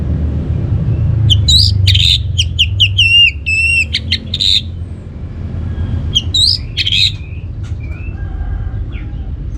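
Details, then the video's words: Orange-headed thrush singing to goad other birds into song: a loud volley of chips, looping whistles and buzzy notes, a pause, then a second shorter burst with scattered faint chirps, over constant low hum. "ANIS MERAH Cor Suara Penggoda Membuat Burung Kenceng Jadi Ngeplong Lanjut Teler"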